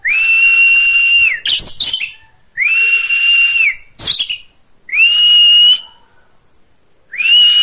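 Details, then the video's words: Oriental magpie-robin, a training recording for other birds: sustained pure whistles, each rising then held steady for over a second, alternating with harsh, jumbled rattling phrases, repeated about every two seconds. "Kacer gacor"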